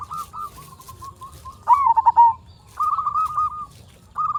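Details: Local zebra dove used to lure others into song: a soft even trill, then a loud rising coo breaking into quick pulses, followed by a steady bubbling trill and the start of another phrase.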